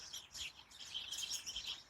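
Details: In late October 2020, with rain in the air, a flock of house sparrows living in an allotment hedge chatters from cover. Many overlapping high, short chirps merge into a continuous busy twitter, and the birds go quiet when someone approaches.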